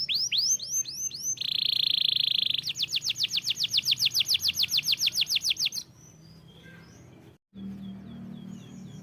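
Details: Canary delivering a varied song: swooping whistles, a buzzy rattling phrase, then a long rapid trill of repeated notes, followed by quiet with a low background hum.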